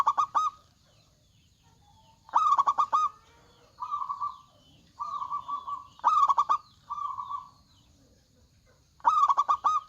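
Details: Local zebra dove in full song with a big voice: loud rattling phrases of rapid coos repeated about every two to three seconds, interspersed with short smooth sustained coos.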